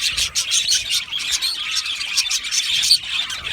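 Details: Australian budgies in an aviary, singing and chirping: quick bursts of high twittering and short whistled squeaks rise and fall in pulses over continuous flock chatter.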